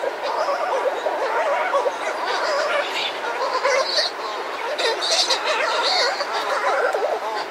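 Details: Buller's shearwaters, a pair, calling up close outside their burrow amid other birds: rolling, wavering moans overlap throughout, broken by brief hoarse higher bursts around the fourth to sixth seconds, over steady surf.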